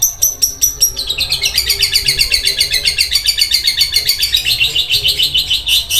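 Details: A long-tailed shrike pours out a fast, harsh, rattling chatter, rapid grating notes like a sewing machine, running steadily for several seconds.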